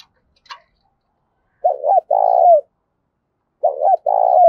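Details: Repeated fighting-challenge coos of a spotted dove, loud and resonant: a short click-like sound, then two phrases about two seconds apart, each a wavering double note followed by a long steady low coo.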